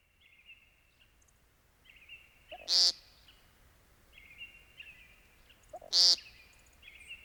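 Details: Timberdoodle, or American Woodcock, gives two harsh buzzy notes a little over three seconds apart. Between them sit soft whistled tones and quiet background chatter.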